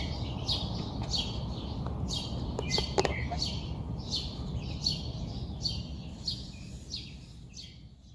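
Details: Bird calling in the early morning in Queens, New York City: bright high chirps repeated roughly every half second over a constant low rumble of city noise.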